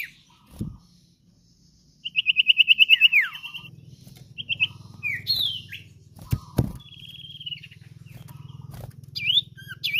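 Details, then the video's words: Common iora singing actively, used as a master recording to lure and train cage birds: a rapid rattling trill of about a dozen notes, then scattered whistled slurs and short phrases over a steady low hum. "Sirtu/Cipoh GACOR Cocok Untuk Masteran/ Pancingan Burung Anda"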